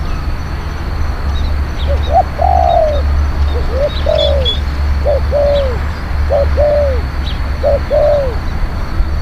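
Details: Spotted dove kept as a lure for wild doves, described as a strong, skilled cooer: repeated phrases of one or two short rising coos followed by a longer drooping coo, over constant low droning noise.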